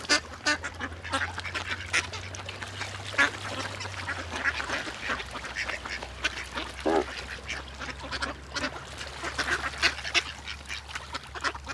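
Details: Ducks swimming in a group with great white pelicans call together on the water. Steady, overlapping nasal quacks run continuously at a fairly even loudness, over a faint low hum.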